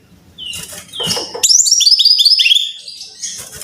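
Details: Brown-chested jungle flycatcher song serving as a training lure for caged birds: faint noisy notes, then a rapid string of bright, sharply downslurred whistles, roughly three per second, fading out with low background hum.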